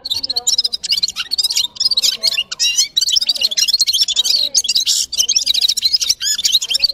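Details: Red-fronted serin, known locally as gulsir, singing a continuous, rapid, high jingling twitter of buzzy trills and quick chirps with barely a pause throughout.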